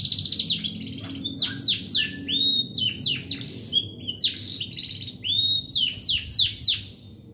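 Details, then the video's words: Domestic AFS canary in its daily morning song at home, delivering bursts of sharp descending whistled sweeps and quick chirps in short phrases about every half second, with low background hum. "Nyanyian Pagi Kenari AFS"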